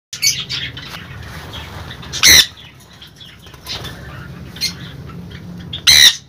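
An Indian ringneck parakeet gives two loud, harsh squawks about four seconds apart, with softer chatter and rustling between them.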